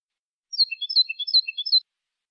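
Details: European goldfinch, copia malaga style song used to tutor young birds: a quick tumbling run of bright high twittering notes lasting just over a second, with no other sounds.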